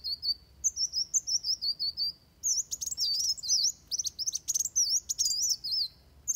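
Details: Van Hasselt's sunbird giving its fighting song, used as a tutor recording for training birds: very high, rapid, twittering song of wavering, looping whistled notes and sharp chips, growing denser and more excited after the first two seconds.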